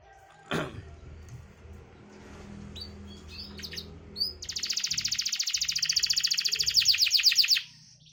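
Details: Canary lure song for birds that will not sing: after a few faint chirps and room noise, a fast, dense, high trill starts and runs steadily for about three seconds before breaking off.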